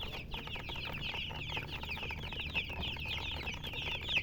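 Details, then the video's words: Colored chickens chirping nonstop: quick, high, descending peeps blending into a busy chorus over a low background hum. "silly chicken chirping sounds with murgi hen color chicken"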